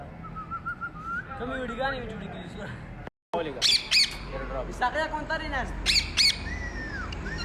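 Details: A pet Indian ringneck parrot in a tree chatters with wavering, voice-like tones, then bursts into a rapid series of harsh squawks and chirps after a brief silence.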